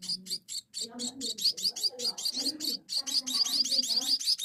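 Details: Munia nestlings begging as they are fed: insistent, piercing chirps repeated several times a second over low muffled bumps and handling sounds.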